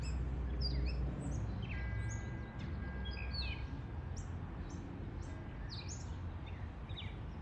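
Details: A male gray catbird, back in a backyard on May Day for its fifth year of migration, just fed raisins and probably singing for a mate, gives a rambling run of short squeaky and whistled notes over a low rumble.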